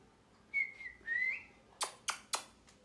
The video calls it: Parrot Chirping Sounds